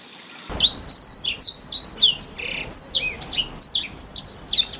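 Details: Blackthroat song used to train canaries starts after half a second of quiet: an unbroken, cheerful stream of high whistles, slurs and a buzzy trill, roughly four notes a second.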